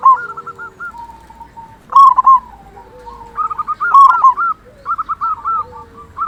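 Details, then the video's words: Loud-voiced local zebra dove whose song is meant to rouse other zebra doves: strings of short bouncing coos broken by two louder rolled phrases, the trills continuing steadily to the end. "Perkutut Lokal Gacor Suara Besar Pancingan Burung Perkutut Agar Cepat Bunyi"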